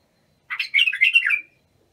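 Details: Bulbul song used for training young bulbuls, Abu Shuaib style: one rich warbled phrase of quick slurred whistles around two to four kilohertz, rising then falling, lasting about one second in a quiet setting.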